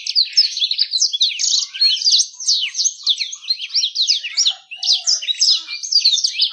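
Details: Bird song meant to draw females: a fast, continuous, high-pitched warble of sharp downslurred and rising chips, delivered in bursts with short pauses and no other clear sounds.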